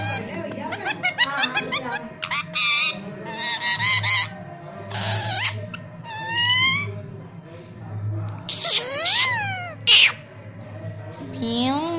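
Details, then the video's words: Rose-ringed (Indian ringneck) parakeet, a rescued pet bird: rapid run of varied high, harsh squawks, chatters and sweeping whistles over a low background hum. "indian ringneck parrot Kittu | Kittu Ki Boli"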